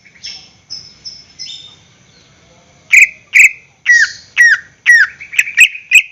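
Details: Greater green leafbird kept caged, its song played to coax other birds into singing: faint high buzzy notes at first, then loud emphatic chirps and down-slurred whistles repeated about twice a second.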